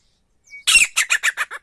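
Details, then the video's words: Wild male grey partridge (titar), a call used for hunting: one short lead note, then a burst of harsh, loud notes repeated about five times in quick succession, with nothing else audible. "Single male Titar ki shekar ki awaz jangali titar ki shekar ki awaz"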